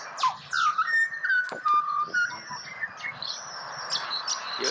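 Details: Pied butcherbird, one of two birds asked to sing together in Australia: sliding whistles and short fluted notes in quick phrases, mixed with sharp clicks and high chirping from nearby birds.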